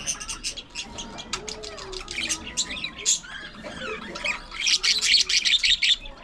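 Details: Aviary budgerigars chattering as a colony: rapid high twittering and squawks that grow louder and denser toward the end, with warbled notes mixed in.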